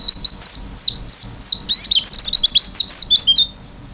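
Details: Oriental white-eye in vigorous filled-in song: evenly spaced high down-slurred whistles give way to a rapid, jumbled twittering medley of varied sliding notes, then fading.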